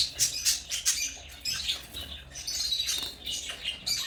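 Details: Harsh, high-pitched chirps from African lovebirds arrive in quick overlapping bursts, a busy scratchy chatter with no pauses.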